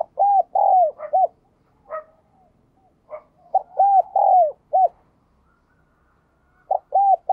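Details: Spotted dove in the 'giọng đồng chuông' or 'giọng đồng kim' voice: three loud, repeated phrases of hollow arched coos, each phrase a pair of quick notes, a long falling coo and a short closing note, separated by soft clicks.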